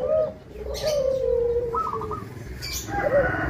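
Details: Zebra dove of a local type, a frequent singer used to lure rival zebra doves into song. A long, smooth coo gradually descends in pitch, followed by a short burst of stuttered higher notes and another brief coo.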